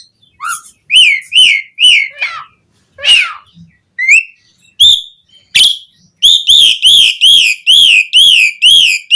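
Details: Asian pied starling song used to prompt caged birds into singing, with varied whistles and a harsh note, then a fast steady run of about ten loud arched whistled notes repeated at an even pace.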